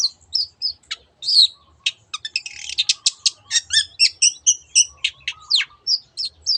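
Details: Varied high song of a long-tailed shrike, known locally as cendet, in 'teot teot' style as a singing lure: scattered sharp notes building into a fast run of clicks, whistles and buzzy trills.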